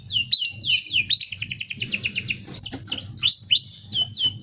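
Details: Tutoring-style rolling song from a canary: quick down-slurred whistles run into a rattling roll, followed by sharp upswept and falling notes, all high-pitched and tightly packed, with low background hum.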